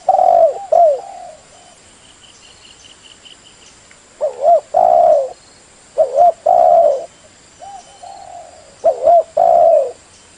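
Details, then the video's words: Spotted dove calls used for luring or shooting birds: low, hollow cooing phrases with a quick wavering start and a longer sustained note, given in bursts a few seconds apart, with a faint steady high hiss behind. "suara burung tekukur atw derkuku buat nembak atau pikat"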